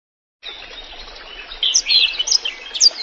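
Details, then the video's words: Black-throated canary singing steadily in a clear voice, used for tutoring and prompting other songbirds, with a water-trickle background. A hiss begins first, then bright, high warbled phrases of quick chirps and slurred notes start after about one second. "burung blackthroat gacor suara jernih di sertai suara gemericik air untuk masteran dan pancingan"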